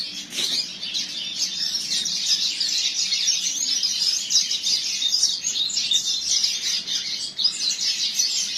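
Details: Captive double-collared seedeater from a breeder, singing in tournament style: dense, fast, high twittering and warbled trills run almost without pause, with one brief sharp note near the start.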